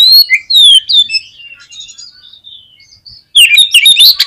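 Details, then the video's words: Oriental magpie-robin singing, used as a lure to prompt a pet bird to sing: loud slurred whistles sweeping down, a quieter stretch of faint high notes, then a dense burst of strong, jumbled whistling. "KACER KURANG EMOSI ?? PUTAR SUARA INI DI JAMIIN KACER KALIAN AUTO BONGKAR ISIAN"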